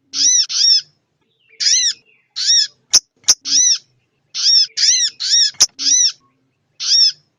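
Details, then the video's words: Sogon ontong female calling to a male in a lure recording: rasping, harmonic down-curved notes in pairs and triplets at irregular intervals, with a few loud snapping clicks in the middle. "suara pikat sogon ontong betina memanggil sang jantan"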